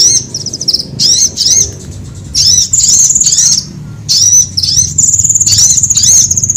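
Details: Sunbird calls meant to attract birds and train cage birds to sing: clusters of sharp, high, falling chirps separated by short pauses, and two stretches of steady, piercing high trilling.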